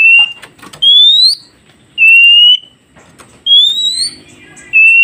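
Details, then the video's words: Oriental magpie-robin song meant to get newly caught wild birds answering: long, clear whistles alternating between rising and level notes, each about half a second, spaced roughly a second apart. "Dengarkan KACER ini Agar Kacer hutan Baru Dapat Cepat nyaut"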